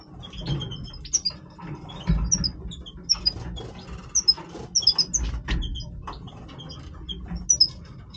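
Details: Major-form European goldfinch singing its breeding voice: sharp, high chipping notes and short whistled twitters repeated in clusters, with soft low rustling and clicks underneath.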